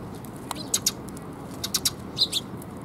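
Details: Sparrows visiting a perch to be fed, 7 June 2021. Brief high chirps come in pairs and small groups of two or three, separated by short pauses, over a low steady rumble.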